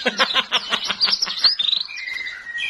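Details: Magpie-robin delivering a burst of quick clipped notes that run into a rapid twitter, then a sustained clear whistle, with faint background chatter.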